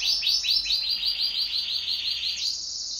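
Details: Pet canary singing in duet, delivering a fast series of repeated rising chirps that merge into a steady high trill, bright and loud throughout.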